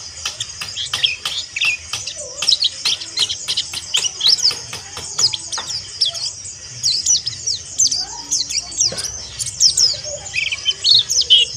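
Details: Mountain white-eye, kept as a cage bird, giving a rough, fast 'ngeriwik' chatter used as therapy to excite and provoke other white-eyes: dense runs of very high, thin chirps and sharp twittered notes, nearly continuous, with brief pauses.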